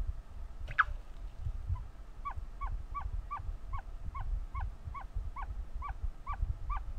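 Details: Ostrich chick calling as it hatches: one loud squawk, then a long regular string of about thirteen short, clear, downward-slurred peeps nearly three per second, against a low steady rumble.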